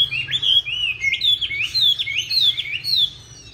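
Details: Chinese hwamei of the green-bean-eyed type singing its fighting song, used to train other hwamei toward a smooth, not harsh song. Loud, bright whistled phrases that rise and drop sharply, repeated in quick succession with a faint hum below.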